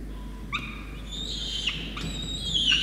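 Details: Peregrine falcon chick in Orange, New South Wales, Australia, on 5 November 2021, begging while its rain-soaked parents feed it a wet starling. Two long, drawn-out, slightly falling wailing cries, rich in harmonics, follow a short quiet start.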